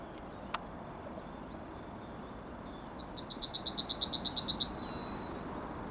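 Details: Morning Yellowhammer song recorded 9 May 2021: a rapid run of roughly twelve bright, high, repeated notes followed by a long sustained whistled tail, with a single click beforehand and a quiet background.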